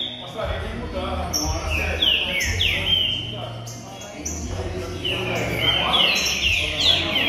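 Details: A green-winged saltator (Saltator similis), being warmed up to sing, gives quick runs of clear, downslurred whistles and chips, several notes a second, over a steady low hum and other faint chirps.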